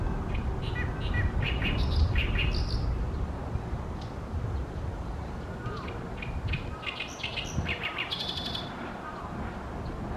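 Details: In fine weather at Ashiya, Japan, on 28 May 2020, an Oriental great reed warbler sings loudly from a tall tree over a reed pond: two bouts of harsh, repeated croaking and chattering syllables separated by a quieter pause, with steady low rumble.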